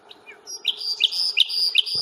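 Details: Common nightingale at Fingringhoe reserve on 1 May, singing a short phrase of sharp, high repeated notes with a thin sustained whistle running between them.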